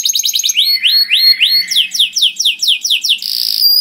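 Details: Loud, melodious canary song used to lure other canaries: quick chirps give way to a series of rising swooping whistles, then falling slurred notes, ending on a steady sharp buzzy trill.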